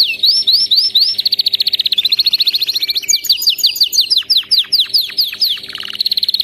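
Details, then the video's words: Canary song used to train other canaries to sing: rapid high trills, upward-sweeping slurred notes, then fast repeated descending notes and buzzy rolls, bright and continuous with no pause. "صوت كناري مذهل لتدريب وجعل طائرك الكناري يغرد بلا توقف canary singing training bird"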